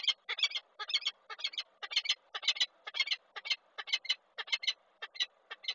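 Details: Female peregrine falcon screaming from a railing at a nest site in Koszalin, Poland, 20 April 2023, while the male arrives at the eggs; harsh, grating bursts repeated about twice a second in uneven clusters.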